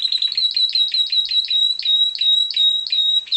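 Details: Variegated Timbrado canary, bred in captivity, delivering a sustained high, ringing trill at a steady pitch, broken by brief stuttering accents roughly every third of a second.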